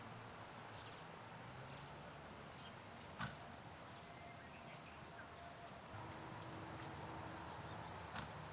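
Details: Common kingfisher filmed on 20 May 2012, calling only briefly: two sharp, shrill, high whistled notes in the first second, then near silence with a faint low hum, a soft click and distant faint chirps.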